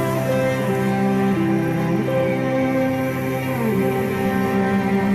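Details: Slow, sad instrumental music with sustained, gliding string-like tones and no animal voices.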